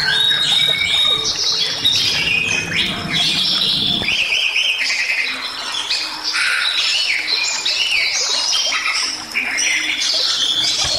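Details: Bali myna in lively, full song used as a training recording for other songbirds: dense run of squawky, chattering and whistled phrases, mostly high and varied, with a low rumble in the first four seconds.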